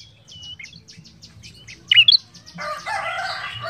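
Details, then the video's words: An ashy tailorbird sings actively: a rapid run of short, high chirps, then two loud, sharp whistled notes, followed by a burst of harsher, rattling chatter. "Suara prenjak kepala merah gacor"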